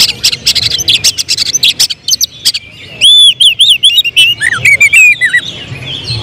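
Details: Oriental magpie-robin kept for song contests, opening with a rapid harsh rattling run, then switching to loud looping whistled notes that dip and rise; its emotional singing turns into 'tembakan' shots.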